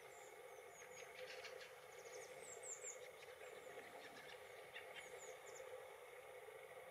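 Fieldfares give harsh, chattering chack notes in loose bursts, mixed with thin high squeaky calls, over a steady background rumble like distant traffic.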